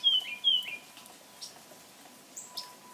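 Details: In a Pensacola backyard as birds emerge to feed after a harsh freeze, two bright, high chirps open, each slurring downward, followed by fainter scattered tweets and a soft steady hum underneath.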